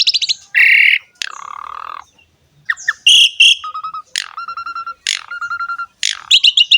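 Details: Asian pied starling song phrases, used to prompt other songbirds: a nasal harmonic note and a fast buzzy rattle, then a series of sharp rising whistles, each ending in a steady mellow tone, then clipped chatter.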